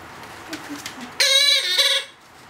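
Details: Hand-fed two-month-old Blue-headed Parrot chick begging: a short grating, buzzy nasal call lasting under a second after soft background rustling.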